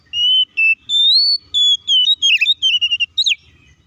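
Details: Clear whistled oriental magpie-robin phrases meant to spur other magpie-robins to sing: sustained pure notes rising in steps, then quicker short notes and a sharp downslurred whistle near the end.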